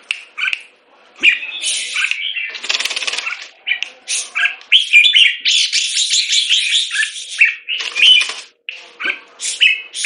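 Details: A molting Red-whiskered bulbul in a cage in Singapore pours out harsh buzzy chatter and whistled notes in long bursts, with a brief rough fluttering noise early on.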